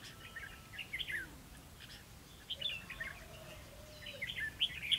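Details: Red-whiskered bulbul at a trapping site on 11 November 2016 sings several quick, jumpy warbled phrases spread across five seconds, rising and falling in bright chirps.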